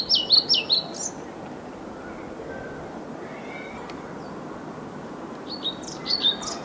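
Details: A European pied flycatcher (Ficedula hypoleuca) sings two brief, lilting phrases of high, sweet notes about five seconds apart, over steady background hiss; Viertola, Vantaa, Finland, 6 May 2012.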